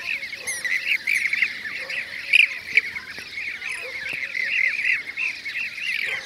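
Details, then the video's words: Chorus of Blue-cheeked bee-eaters in Şanlıurfa, Turkey, 2016, giving dense, overlapping burry rolling calls that run without pause, a few louder notes standing out against the steady chatter. "Yeşil arıkuşu (Blue-cheeked Bee-eater)"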